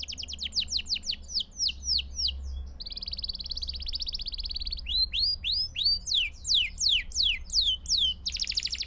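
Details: Canary song played for training young birds to sing: rapid repeated downward-sweeping high whistles, then a sustained buzzy trill, then more rhythmic falling notes and a closing buzzy burst, with faint low hum underneath.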